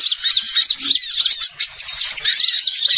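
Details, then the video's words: High-pitched twittering of small birds used as a trapping lure: quick arched chirps overlap in a dense run, broken by a short lull before chattering starts again. "suara Pikat burung Kecil super tajem"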